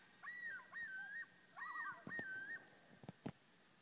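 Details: Loon calling on Whitefish Lake, Wisconsin, giving long clear wailing notes that rise and fall in repeated phrases, one with a quick wavering section, followed by several sharp knocking clicks near the end.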